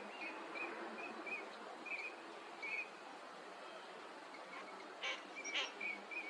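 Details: Wintering Eurasian teal on a park pond at Junsai-ike, Chiba, Japan, in February: a series of short, thin whistled notes repeated irregularly, with a steady background hiss.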